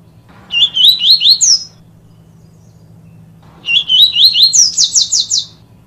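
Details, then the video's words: Yellow-bellied seedeater (papa-capim "tui tui viviti" song, used to train young birds) sings two high phrases of quick swooping whistled notes, the second ending in a fast buzzy series, over a faint low steady hum. "Papa capim Tui Tui Viviti Treinamento"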